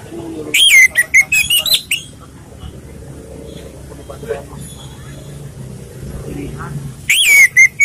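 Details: Relaxed Orange-headed thrush song for luring and training birds: an opening phrase of clear, fluid whistles with quick pitch sweeps, a long quiet gap, then another bright whistled phrase at the end.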